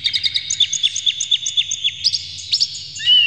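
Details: Agitated oriental magpie-robin (kacer) with tail spread, singing a lure meant to provoke rivals; a quick run of about twenty evenly spaced sharp chirps, then a brief rising and falling whistle at the end.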